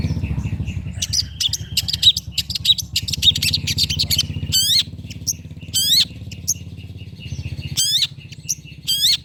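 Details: Long-tailed shrike singing, used to provoke hesitant birds into song: fast scratchy chattering followed by loud, harsh upswept bursts spaced a second or two apart, over a low rumbling background.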